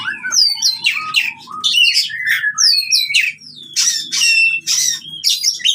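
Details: Oriental magpie-robin fighting song, used to train birds that have stopped singing: dense varied phrases of sharp whistles, buzzy notes and harsh squawky bursts, with faint low hum beneath.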